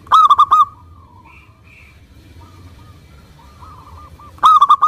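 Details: Zebra dove, local Indonesian bird, cooing as a lure to start other doves singing: a short loud cluster of four rapid coos, a long quiet stretch with faint soft notes, then another rapid cluster at the end.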